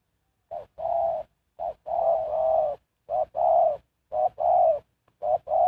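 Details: Decoy spotted dove used to lure wild birds, singing rich, rolling coos, each led by a short note; one phrase is stretched into a longer double coo.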